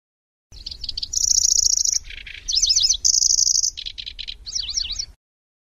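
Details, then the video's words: Lanceolated warbler in long-duration chattering (nyecret) song, described as grasshopper-like chatter with rolling trills and sharp 'shots', used to train magpie-robins: high buzzy reels alternate with zigzag whistled trills and lower rattling bursts, no other sounds. "Suara Burung Kecici Belalang | Nyecret Durasi Panjang"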